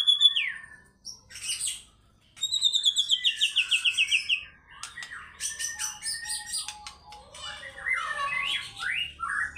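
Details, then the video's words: White-rumped shama singing fighter style: clear whistled glides, a fast steady train of repeated notes, then a varied burst of high chips and sweeping whistles. "MURAI BATU GACOR FIGHTER BONGKAR ISIAN"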